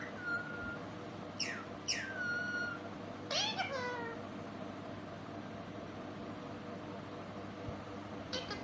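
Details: Parrot talking with a sweet voice: a few sharp, falling squeaky syllables and a harmonic word-like phrase in the first four seconds, then only steady hum.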